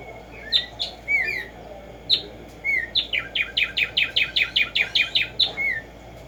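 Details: Black-striped sparrow, known locally as tumba yegua or tico tico, singing in the wild in the morning: a few slurred, downward whistled notes, then a quickening run of about twelve sharp, bright repeated notes.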